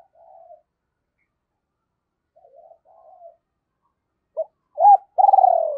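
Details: Decoy spotted dove cooing to draw in wild birds: soft, faint murmuring coos at first, then two short arched notes and a loud, trembling, falling coo at the end.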